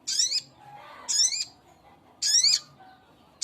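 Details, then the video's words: Rapid series of grating, buzzy calls from a male spiderhunter calling to a female: three full notes about a second apart, with a fourth starting at the end. "Suara burung sogok ontong jantan memanggil betina"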